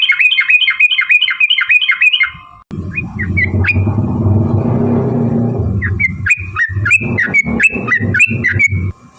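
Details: Long ropel fighting song of a yellow-vented bulbul, meant to goad other birds into singing: quick repeated chattering notes open and close the passage, with a loud low rumbling noise filling the middle.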